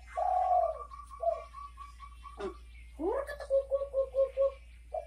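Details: Derkuku, the spotted dove, calling bekur bekur: a long low coo, then after a pause a rising note followed by five short, evenly spaced hollow coos, with faint higher tones behind.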